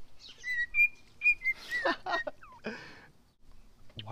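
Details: Pet cockatiel whistling a few clear, pure notes of "If You're Happy and You Know It", steady then slightly rising, followed by harsh chattering sounds and a voice.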